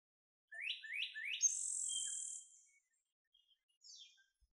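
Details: Puerto Rican vireo, endemic to Puerto Rico, while building its nest: three quick rising slurred notes, then a long high buzzy rasp, and a faint descending note after a pause.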